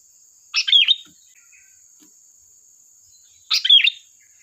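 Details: Sooty-headed bulbul in full lively voice, a lure recording: two brisk chattering phrases three seconds apart, each a cluster of quick bubbly notes, against a constant thin high tone.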